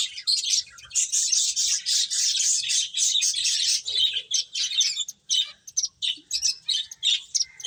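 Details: High, rapid twittering from several playing finches, overlapping chirps in rhythmic bursts that continue almost without a break, with a few soft low sounds.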